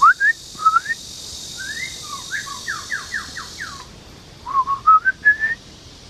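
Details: Male white-rumped shama singing at Loudi Mountain Nature Park, Mituo, Kaohsiung, Taiwan, on 13 June 2018, recorded with a Canon PowerShot SX720 HS. Short clear whistled phrases, then a series of falling slurred notes and more rising whistles, with a steady hiss early on.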